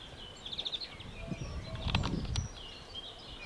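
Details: A European greenfinch at La Calamine-Kelmis, Belgium, gives a quick burst of bright, high twittering notes, then faint chirps, over steady low rumbling background noise and a brief thump.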